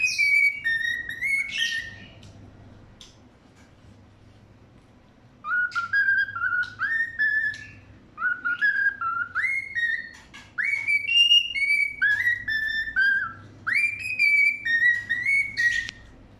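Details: Cockatiel (Nymphicus hollandicus) singing in the morning, waking everyone: a series of clear, rising and falling whistles with rich harmonics.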